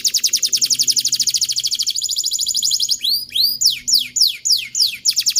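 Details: Canary song for teaching young canaries, a long fast rolling trill slowing into loud descending swept whistles repeated about twice a second.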